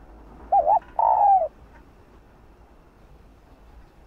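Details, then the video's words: Female spotted dove calling to a male, heard as a partial phrase: a quick wavering coo followed by a long, rough, descending rolled coo, then quiet with faint background hiss. "Chim cu gáy thúc trống,gọi trống đưa trống lên đỉnh | cu mái gáy"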